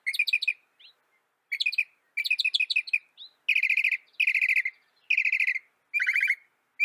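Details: Northern mockingbird song from North America: rapid harsh rattled phrases, buzzy trills repeated in bursts of under a second, switching to a lower churring type midway, with short whistled notes between bursts and no other sounds.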